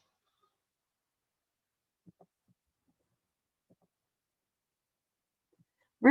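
Near silence with a few faint low thumps, ending in a sudden loud burst of broadband noise.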